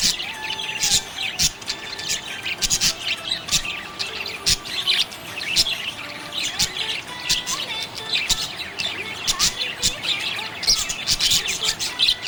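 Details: Budgerigar chirping happily, a long stretch of dense high chatter and squeaks with many sharp clicks, while steady held tones run faintly underneath like soft music.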